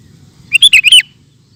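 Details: One bright five-note phrase from a sooty-headed bulbul in 'ropel' style, warbling up and down in rapid succession for half a second, followed by quiet.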